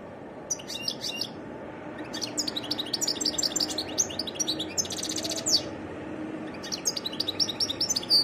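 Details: European goldfinch singing a varied song: bursts of high, liquid twittering and chattering notes with short buzzy trills, broken by brief pauses, over a faint steady background hiss.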